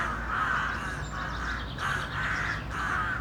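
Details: Crows in a city, several birds giving rough, hoarse caws in a continuous overlapping chorus, with a low constant rumble of traffic-like noise beneath.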